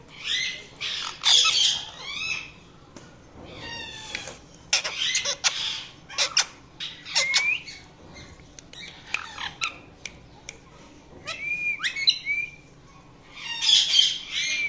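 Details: Indian ringneck parakeet, a pet talking parrot, chattering steadily in a small room: rapid harsh squawks, clicks and short whistled chirps in irregular bursts, some notes curving upward.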